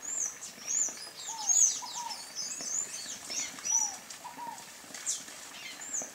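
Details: High, thin, twittering squeaks of a sayaca tanager run densely through the first half, then thin out, while a lower bird repeats soft falling two-note whistles.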